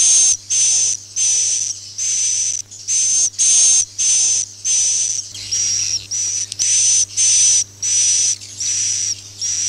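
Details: Swiftlet calling and roosting sounds used to lure swiftlets into a swiftlet house: harsh, buzzy chirps with a thin high whistle, repeated in quick bursts about every three-quarters of a second, over a steady low electrical hum.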